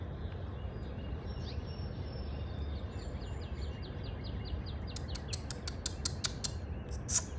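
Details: Bird singing in the morning while building its spring nest: a fast series of short, high, slightly falling notes repeated several times a second, then sharp clicking notes, over a steady low rumbling background noise.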